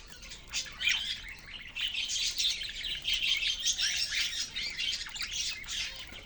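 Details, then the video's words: Caged budgerigars chirping together in a busy, continuous chorus of high twittering and warbling notes with short squawks, many birds overlapping throughout. "Beautiful birds in cage Beautiful chirping sound"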